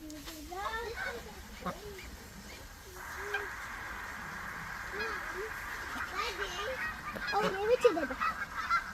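Chinese geese give loud, nasal honks in irregular bursts, several birds calling over a steady mid-pitched hum in the background.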